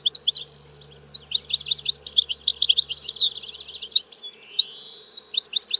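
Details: A European goldfinch sings a long continuous run of bright tinkling twitters and fast trills, ending with a rising slurred note and more chirps.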